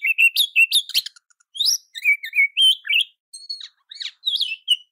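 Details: Oriental magpie-robin song meant as a tutor to bring out other birds' repertoire and make them respond. Rapid run of bright chirps, then wavering whistles and upward-sliding notes, high and clean with no background sound.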